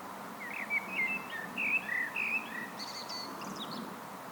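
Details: Common blackbird singing solo: low, mellow fluted warbles rising and falling, then a thin, high twittering flourish at the end of the phrase, over a soft outdoor background hum.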